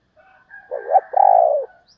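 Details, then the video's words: Single close coo from a female spotted dove: a rough, wavering opening note rising in pitch, then a sustained, slightly pulsing hoot that slowly falls away. "cu mái gáy"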